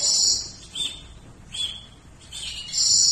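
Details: Goldfinch singing for a songbird-tutoring recording: slightly distant, high, thin whistled phrases rising and falling over a faint hiss, in three loose bursts.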